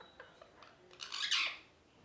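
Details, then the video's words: A parrot gives a harsh, raspy squawk that swells to a loud burst and cuts off, after a few soft faint chirps. "Parrot Chirping Sounds"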